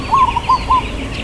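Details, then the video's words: Local zebra dove delivering its long 'kuk' song, 'irama lelah' style: a drawn-out opening coo followed by two shorter cooing notes, clear and low-pitched, faint chirps behind. "Perkutut Lokal Suara KUK Panjang IRAMA LELAH"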